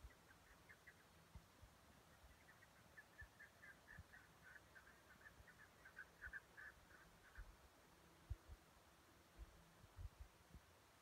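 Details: Chukar partridge (Alectoris chukar), contact call: calling to find each other.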